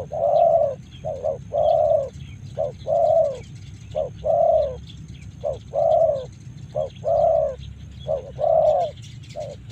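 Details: Spotted dove from Karawang giving a series of mellow, hollow coos, short notes paired with longer drawn-out ones, about four phrases every ten seconds over a steady low rumble of background noise.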